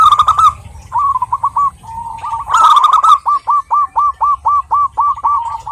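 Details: Local wild zebra dove, a female calling to a male, gives a loud burst, then a clipped cooing phrase, another harsh burst and an even series of hooked notes, roughly four each second.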